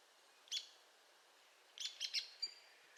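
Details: Arizona woodpecker giving one sharp high note, then after a pause a rapid cluster of three harsh notes and a brief thin note.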